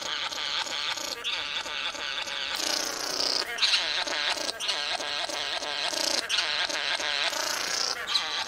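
Satin bowerbird giving a near-continuous run of harsh, buzzy churring and whirring notes, rich and grating, shifting in tone every second or so.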